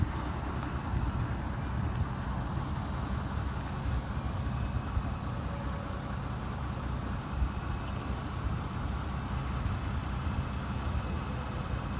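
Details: Steady low rumble of wind and road traffic, with no animal calls.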